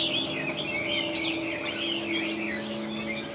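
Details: Chinese hwamei kept in a cage, a big handsome singer, giving a short run of wavering high whistled notes over steady low humming tones.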